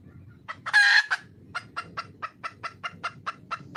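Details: Red junglefowl hen in the wild, calling for a male: a single strident rasping squawk followed by a regular series of about ten crisp clucks, spaced roughly a fifth of a second apart.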